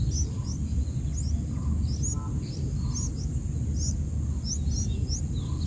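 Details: Black-headed bulbul chicks in the nest while being fed by a parent: high, short upslurred chirps repeated about twice a second, with softer lower notes between, over steady low rumbling background noise.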